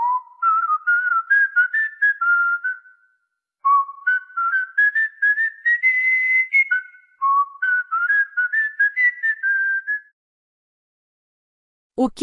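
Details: A cockatiel sings a whistled tune of clear tonal notes. Three rising phrases, each climbing in small steps, are separated by short pauses. The tune ends with a brief sharp sound.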